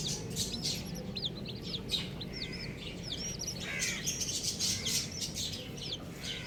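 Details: Baby chickens, colourful chicks in a group, chirp in shrill hooked peeps, many per second and overlapping, with clicks and tapping over low mechanical rumble.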